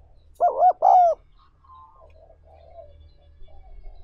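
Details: Spotted dove cooing, used to train decoys for luring wild birds: two loud rounded coos close together, then faint softer murmurs over a low background hum.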